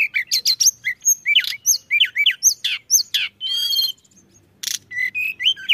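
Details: Pied bushchat song meant to attract other songbirds: crisp repeated upswept whistles and clicks in quick succession, a short buzzy rattling note, a brief pause, then more bright whistled phrases.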